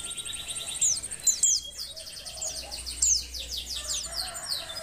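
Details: Oriental white-eye female in breeding condition, used to stir lazy males to sing: high thin chirps and short downslurred notes, some in quick series, amid several overlapping birds and a steady background hiss.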